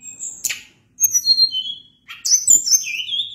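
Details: Sunda blue robin singing high clear whistled notes, some sliding downward, in two short phrases separated by a pause.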